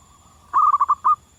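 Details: Zebra dove singing in the wild, a crisp series of six quick purring coos, the final note drawn out, over a faint continuous background coo.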